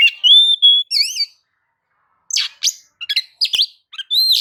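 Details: Oriental magpie-robin singing energetically, played to stir other birds to sing: opening steady pure whistles and a wavering slur, a silent gap, then harsh buzzy rasps and clipped chattering notes closing with a bright whistle.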